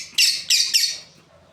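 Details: Three rapid harsh, high chirps from a breeding pair of lovebirds, each fading quickly, then quiet with a low hum.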